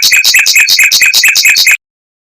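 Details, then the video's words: Fast, tight rolling song of a mockingbird, intended to train white-rumped shamas: a rapid burst of about ten bright, double-pitched chirps in under two seconds, then quiet. "Suara Burung Mockingbird Roll Speed Rapat Tembakan Panjang untuk Masteran Murai Batu"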